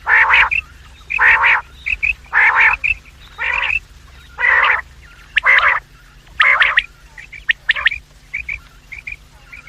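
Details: Quail calling in the morning and evening, recorded as a lure for quail trapping: harsh, rasping bursts repeated about once a second, mixed with short, high chirped notes in the gaps, over a low steady hum.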